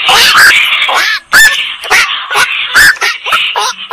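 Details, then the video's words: Black-crowned night heron making hoarse, strained squawks, drawn out and overlapping, coarse and buzzy in tone, repeated roughly every half second. "suara burung koak"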